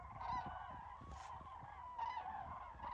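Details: Common cranes calling in a flock: a steady chorus of overlapping rolling, trumpeting calls, with louder, harsher bursts standing out near the start and again about two seconds in.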